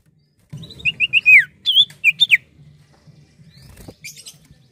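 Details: A lively Common Iora delivers rapid whistled phrases: short looped notes, then a downward slur, with a second shorter burst. Softer faint notes and a low hum trail after.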